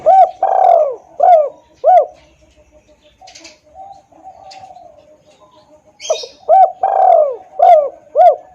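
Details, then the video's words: Spotted dove calling as a hunting lure to attract wild doves: repeated phrases of a long falling coo followed by two or three short hollow notes, loud and clear, with soft chirps and a brief twitter in the background. "suara pikat tekukur||suara keras dan jernih"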